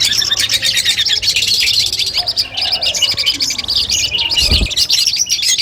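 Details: Long-tailed shrike song compiled as training audio for a mental test before a competition: dense, fast chattering and sharp chirps, high and continuous, with a low hum and a brief low thump near the end.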